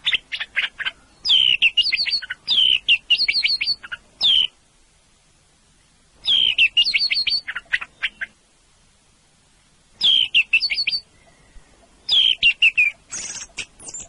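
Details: Orange-headed thrush song: bursts of rich, rapidly varied whistled phrases mixing clear slurred notes with sharp high chips, delivered in runs of about four seconds separated by short silent pauses.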